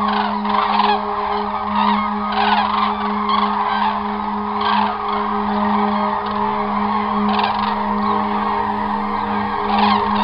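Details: A flock of Common Cranes on autumn migration in 2021, flying southwest over Germany toward southern European wintering grounds, gives loud, rolling trumpeting calls that overlap continuously, with a steady low hum underneath.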